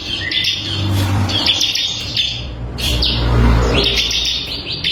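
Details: Bar-winged prinia, crystal variety, on a songbird tutor recording: bursts of high chirps alternating with a lower buzzy note, with a low engine-like rumble in the background.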